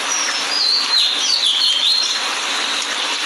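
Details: Lyrebird, a relatively ground-dwelling bird, singing in Australia: clear whistled notes that swoop down and up, high-pitched and varied, over a steady hiss of background noise.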